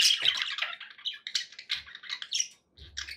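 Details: Pet budgerigars chirping happily indoors: dense bursts of buzzy, scratchy chatter and short squawks mixed with brief whistled notes, with a short pause near the end.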